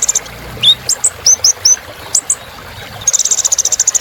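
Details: Kolibri ninja used as rich filler song: a few falling thin whistles and high ticks, then a fast rattle-like stream of repeated high chips over the last second.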